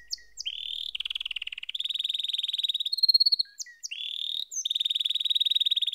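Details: Canary in full song: long, rolling, rattling trills held for a second or more each, broken by short sharp chips and a brief higher tour, high and clear throughout.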